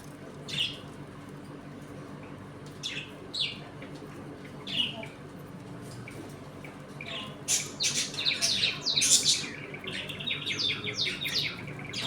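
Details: Budgerigars in a home colony: isolated chirps every couple of seconds at first, building to dense, rapid warbling chatter and squawks in the second half.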